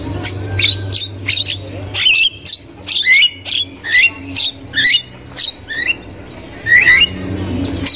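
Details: Wild Javan myna, said to be a female chattering, very vocal, used to lure young mynas into singing: repeated harsh, squawky whistled notes that bend up and down, in bursts about every half second, over a steady low hum.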